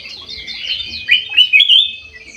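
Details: Bulbul in an aviary, singing actively: soft chatter gives way to a run of loud, clear, rising whistled notes, four in quick succession, with faint twittering from other birds behind.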